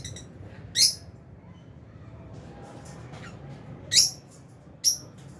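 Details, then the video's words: Albino and Fisher's lovebirds in an aviary: three short, sharp high chirps spaced about three and one seconds apart over a quiet low hum. "Lovebirds Chirping Sounds"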